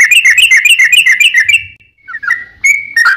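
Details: Sooty-headed bulbul singing as a lure for other bulbuls: a fast rattling trill of bright whistled notes for under two seconds, a brief gap, then a few separate sliding whistles.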